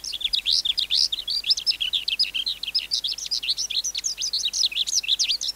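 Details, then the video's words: Skylark song from a wild-caught adult bird, used to teach young caged skylarks: a fast, ceaseless stream of high twittering notes, short upward and downward slurs packed closely together. "Sơn Ca Bổi Hót Giọng Cực Hay"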